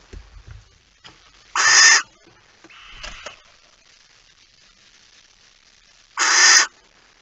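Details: Night recording of a barn owl, 9 September 2019 at 02:18: two loud, harsh, hissing screeches about four seconds apart, with a fainter raspy note in between against a quiet background.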